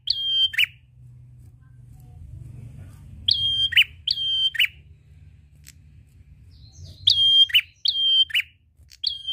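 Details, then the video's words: Prinia song played to lure other birds to sing: a single phrase, then groups of two and three whistled phrases ending in buzzy downward flicks, separated by quiet gaps with a low rumbling background. "Prenjak gacor ngalun ampuh pancing bunyi burung ngetem"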